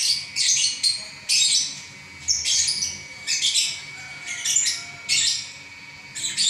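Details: Champion lovebird singing continuously in the ngacor style, part of an eleven-minute non-stop performance: harsh, buzzy chattering bursts of about half a second, some rapid and clustered, separated by short pauses, over a faint steady hum.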